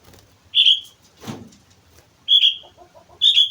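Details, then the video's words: Sooty-headed bulbul from Mount Slamet in vigorous song, giving three quick bubbly whistled phrases, each under half a second, with a brief rustling thud between the first two. "suara burung kutilang gacor gunung slamet"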